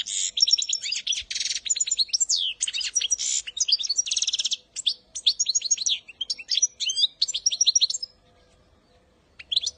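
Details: A goldfinch sings a fast, liquid twittering song of tinkling notes and buzzy trills, used as song training for young birds, almost without pause for eight seconds, over a faint low hum.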